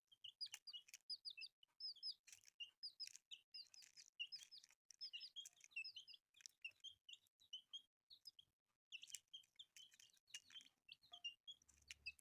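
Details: Colourful newborn chicks keep up a lively chorus of shrill falling peeps for twelve seconds, dipping briefly around eight and a half seconds, with light clatter and a low hum at the very end.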